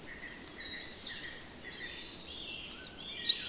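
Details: European robin singing in the Netherlands: thin, high, varied notes, some drawn out and some twittering, coming in scattered phrases with short gaps, fairly soft, over a quiet outdoor hiss.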